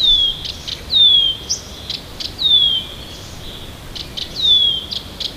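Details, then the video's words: Near Tomsk in the morning a Siberian bird repeats a high, falling whistle about four times, each followed by short sharp notes, clear against quiet background. "Послушайте как поёт сибирская птичка!"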